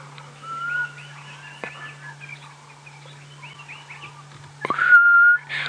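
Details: A Black Cuckoo calling from a riverbed at sunset on 28 November 2016 at Djuma Game Reserve gives a mournful, drawn-out whistle twice, the second louder, over chattering birdsong and low safari-vehicle engine hum.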